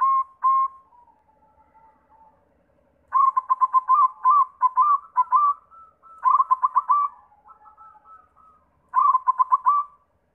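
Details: Zebra dove, a white perkutut, used as a lure to set other doves singing. Four bursts of quick, bubbling coos, each a tight run of short notes followed by a drawn-out tone, separated by quieter soft trills.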